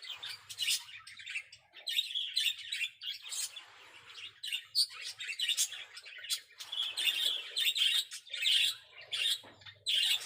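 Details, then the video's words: Zebra finches carrying nest material in a small aviary: a busy stream of nasal chirps and buzzy honks, some overlapping in dense runs, with a faint low hum underneath. "Burung Zebra Finch Sudah Angkut Sarang Di Aviary Minimalis"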